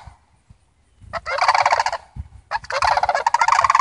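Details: A visiting family of Sandhill Cranes calling: two long rolling, rattling bursts of overlapping voices, the second stretching over a second and a half, after a quiet opening with faint low thumps.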